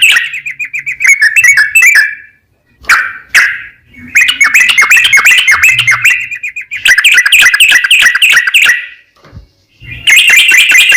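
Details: Sooty-headed bulbul in lively 'gacor' song, long rapid 'ropel panjang' style, used as a lure so other bulbuls answer; bursts of quick, bubbly, repeated chirping notes separated by brief silences.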